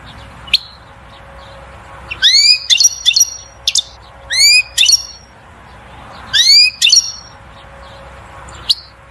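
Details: European goldfinch singing to rouse a female to mating and nest building: repeated bursts of ascending whistled sweeps with twittering notes, roughly every two seconds, with single call notes between.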